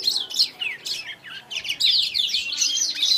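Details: Young Blacktrout Somerini finches from a Klaten breeder give a short, loud burst of high, buzzy chirps and rising and falling slurred notes, nearly continuous.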